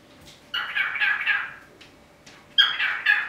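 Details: Darby, a 24-year-old male cockatiel hatched in 1998, sits on his window perch beside a budgie friend and repeats his name ("Darby Doo") in two bursts of raspy, chattering mimicked speech.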